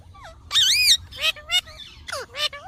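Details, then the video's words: Green talking parrot producing wavering, speech-like chatter, a mix of drawn-out rising and falling tones and short garbled syllables. "Mithu Ki Awaj"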